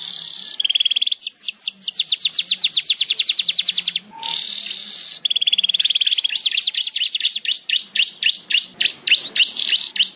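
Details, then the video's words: Weaver (manyar) song mixing sizzling, hissing buzzes with long, fast runs of high, clipped chirps, the notes blurring into a dense chatter toward the end. "suara burung manyar"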